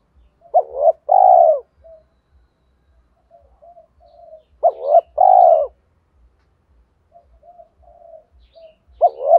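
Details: Loud, clear spotted dove cooing used to lure wild birds: a clipped two-part note followed by a drawn-out coo, repeated about every four seconds, with faint soft coos in the gaps.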